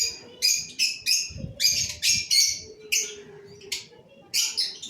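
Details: Cobalt masked lovebirds giving short, sharp, buzzy chirps repeated irregularly about twice per second, with faint background hum.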